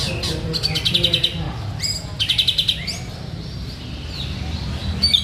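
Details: Active white-rumped shama song: two bursts of fast metallic trilled notes separated by quieter whistles, ending with a sharp high note, over a low background hum.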